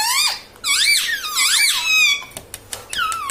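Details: Talking parrot kept as a pet indoors, said to say mummy and papa, giving long wavering harmonic squeaks that rise and fall repeatedly, followed by clicks and short bent notes.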